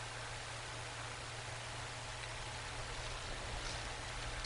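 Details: Steady broadband hiss with a low, constant hum and no animal calls, recorded outdoors at an eagle nest on an afternoon in November 2022.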